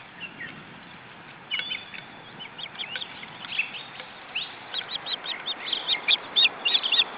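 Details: Male osprey bringing a headless fish to the nest: short high chirping calls, sparse at first, then quickening into a rapid excited series of sharp notes near the end, over a steady background hiss.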